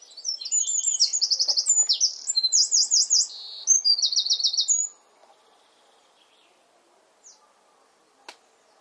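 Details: Eurasian wren in the garden where it nests, singing from one of its favourite perches: a loud, high, rapid run of trills and chattering phrases for about five seconds, then quiet with a few faint notes.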